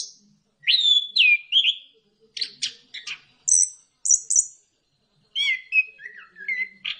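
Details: Orange-headed thrush song used as a lure to stir other birds into singing: loud whistled phrases with sliding notes, then sharp high chips and trills separated by short pauses, ending in a run of descending slurred whistles.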